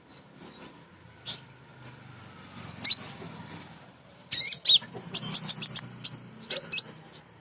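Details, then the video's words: Female Crimson sunbird call meant to draw males and stir caged birds to sing: scattered high chips, then a rapid run of piercing repeated tsip notes and a short twittered phrase. "Konin Betina Gacor‼️ Nyrecet Nembak"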